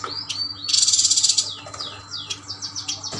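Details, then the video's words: Kalimantan Yuhina, caged birds kept together, singing: a rising whistled note, then a loud rasping buzz lasting under a second, followed by a run of quick descending whistled slurs. "Burung yuhina gacor Burung yuhina kalimantan"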